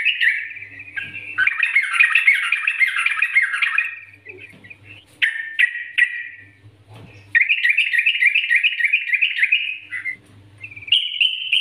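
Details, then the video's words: Yellow-vented bulbul master recording used to lure other bulbuls into song: loud, bubbly, chattering phrases of rapid liquid notes in bursts of several seconds, with brief pauses and a faint low hum. "Masteran Trucukan Gacor NGGARUDA ini Rekomendasi untuk pancingan trucukan agar bunyi gacor"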